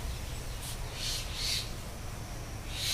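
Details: Three common myna (Acridotheres tristis) chicks in India give harsh, hissing rasps in short bursts, about four in three seconds, over a steady low rumble.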